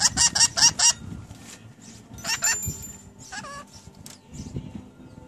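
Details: Pet rainbow lorikeets, recently acquired and talking phrases like "What's for dinner". Four loud, rapid harsh screeches open, followed by further grating notes and a bending, voice-like call, over a faint background hum.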